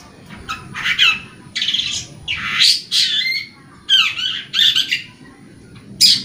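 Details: Long-tailed shrike in full song, played to encourage young or silent caged shrikes: rough, buzzy phrases about a second apart, some with falling slurred whistles, separated by short quiet gaps.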